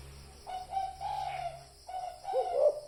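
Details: Short burst of spotted dove cooing meant to lure birds for trapping: a string of hoarse coo notes, a pause, then a rising, rolling croo, with low background hum.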